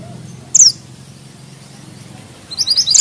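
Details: Mountain bushchat (mantenan gunung) singing with sharp notes: one loud, very high whistle sliding downward, a quiet second, then the start of a fast jumble of high twittering chips.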